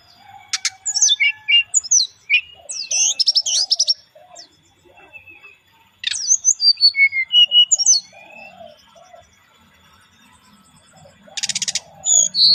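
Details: Relaxed lure song of a brown-chested jungle flycatcher. Two long runs of sharp, varied whistles, slurred notes and quick chips are split by a quiet gap. A buzzy burst sounds near the end, with low cooing underneath.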